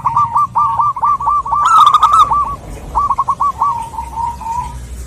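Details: Female zebra dove calling for a male, a local bird used to lure others: fast trilled string of short notes, a loud rough flourish, a pause, then a slower phrase ending in a drawn-out fading note.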